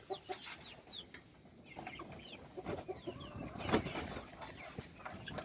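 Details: Little chickens (chicks) at feeding time give faint, high, downward-sliding cheeps, scattered and irregular, over a noisy background with soft thumps and rustling.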